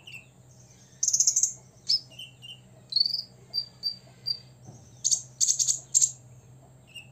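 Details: Six-year-old caged olive-backed sunbird singing to provoke rivals: a shrill rapid trill, scattered thin high whistles and short chips, then a second run of sharp high bursts toward the end, all very high-pitched over a low steady hum.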